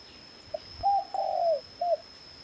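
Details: Red junglefowl (Gallus gallus) in a mountain forest in the morning, giving a four-part crow: a short note, a brief note, a long slightly falling drawn-out note, then a short closing note, over a faint steady high whine.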